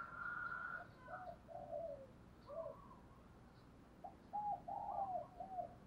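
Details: Decoy spotted dove cooing to lure and provoke wild doves toward a trap. It gives short, low, hollow coo phrases in several bursts, with pauses between them. A fainter, higher note is heard near the start.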